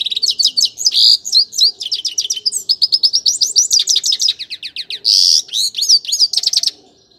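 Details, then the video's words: Extended twittering song of a grey-crowned goldfinch: rapid high chirps, trilled runs and two harsh buzzy notes, continuous for about seven seconds before stopping. "Пение щегла | пение седоголового щегла. Красивое пение !"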